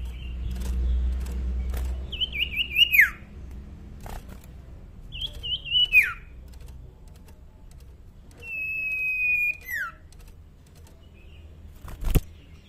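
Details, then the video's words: Common iora, a young bird whose voice is still soft, gives three drawn-out whistles, each steady or slightly stepped before dropping steeply at the close, spaced about three seconds apart, with low rumbling background and a sharp click near the end. "Burung sirtu cipoh bakalan suara masih pelan"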